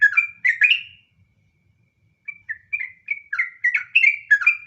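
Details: Sooty-headed bulbul (trucukan) in the long-running ngropel style called nggaruda: three rich, bubbly whistled phrases, a second of silence, then a fast string of short warbled notes rising and falling around one pitch band.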